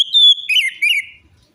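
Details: Lure song of the orange-headed thrush for prompting a silent or stressed bird: a sustained high whistle followed by two warbling, slurred phrases that fade out.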